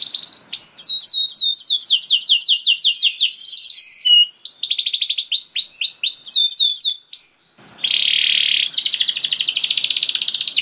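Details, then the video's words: Canary delivering long song as a lure for other canaries: series of crisp downslurred notes in quick runs, brief whistles, a mid-song pause, then a broad harsh buzzing roll continuing to the end. "Seketika Kenari Kondisi Apapun Akan Langsung Respon Bunyi Gacor Panjang Tanpa Nunggu Lama"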